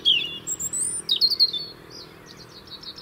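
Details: A European robin in the UK sings to keep its winter territory: loud high liquid whistles, a drawn-out thin note, then sharp descending phrases and a soft repeated twitter at the end.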